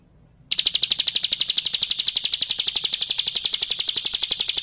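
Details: Bar-winged prinia full-fill song for cage-bird training: after a brief silence, a continuous, loud run of rapid, high, ringing notes at a steady fast pace that keeps going to the end.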